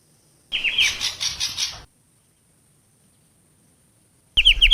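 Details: Long-tailed shrike call used as a lure for trapping, recorded in Java: a short harsh rasping series of about five pulses, then after a pause a string of sharp downslurred high notes.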